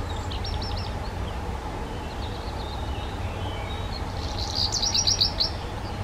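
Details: A black redstart sings soft, high notes, then a louder scratchy, crackling rattle near the end, against a steady low hum.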